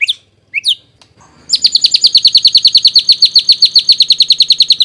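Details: White-rumped shama song played to coax a response and train young birds: two upward whistles, a brief gap, then a long, even trill of bright repeated notes, roughly two or three each second.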